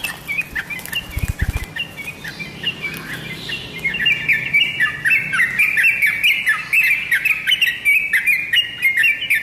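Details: Singing tame sooty-headed bulbul (trotokan): after a short pause broken by a couple of soft thumps, a dense burst of rapid, bubbly whistled notes runs on continuously and grows louder.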